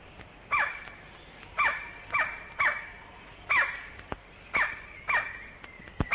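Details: White-bellied Woodpecker male with crimson crown, Malaysian rainforest recording from the late 1950s to early 1960s: a series of piercing, downward-sweeping call notes, roughly one per second, irregularly spaced, with a constant high-pitched insect drone behind.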